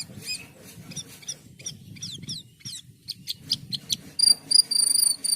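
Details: Asian pied starling song of short scratchy chattering notes in quick succession, ending with several clear high sustained whistles; faint low rumble behind.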